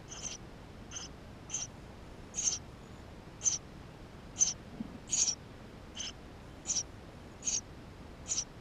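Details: Nestling Eurasian tree sparrows inside the nest, GoPro footage from May 2016: around twelve high, breathy chirps repeated about every three-quarters of a second, a few doubled, over low background hiss.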